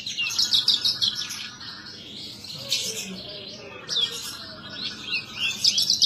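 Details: Horsfield's bush lark kept as a cage bird in Indonesia, singing hard: rapid high chattering phrases of squeaky slurred notes and trills in bursts, separated by short gaps, over low hiss.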